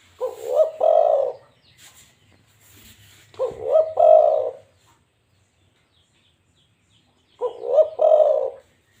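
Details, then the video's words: Three stuttering, rolling coo phrases from a local zebra dove, spaced about three to four seconds apart, each a quick string of low, mellow notes, with faint high chirping between the first two. "burung balam lokal"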